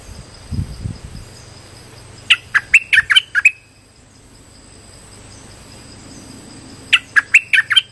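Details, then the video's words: Streak-eared bulbul lure call for trapping: a lively series of sharp chirps, a long pause with a low rumble and constant high whine, then another quick run of bright, slurred notes. "Suara pikat merbah lekir gacor"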